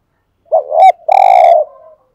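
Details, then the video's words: One full coo phrase from a decoy spotted dove luring other doves: a wavy, rising double note followed by a long, rough, buzzy coo that fades into a soft tail. Nothing else is heard. "tiếng chim cu cườm mồi gù thúc"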